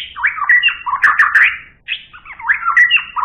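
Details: Super-grade white-rumped shama singing: a loud, varied run of rich whistled and warbled phrases, slurring up and down with quick trills, broken by a brief pause before another tumbling phrase, with faint low thuds behind.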